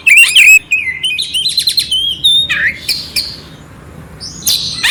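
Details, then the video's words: Oriental magpie-robin song with coarse fill used to rouse a quiet magpie-robin; quick whistled trills and buzzy notes early, fading to a hush before a final harsh burst. "Suara Kacer Jernih isian kasar Cocok untuk masteran untuk menaikkan emosi kacer dingin"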